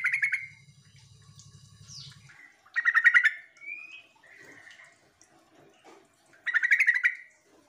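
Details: Sooty-headed bulbul (trucuk) lure call, meant to make other bulbuls answer: three bursts of rapid, bright chattering notes, each under a second, separated by quieter pauses with a faint whistle; a low electrical hum runs early on.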